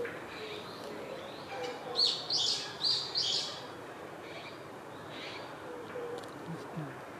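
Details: A male Japanese sparrowhawk calls for his mate after bringing prey to a park's mixed woodland, May 2021: four rough, high bursts in quick succession, then softer, more distant bursts over a quiet woodland background.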